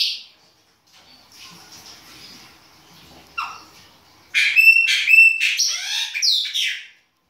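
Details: Chopi blackbird in winter, baianinho-style singing: after a quiet stretch a sudden burst of rich whistled notes with ringing harmonics and down-slurred squawks, ending abruptly.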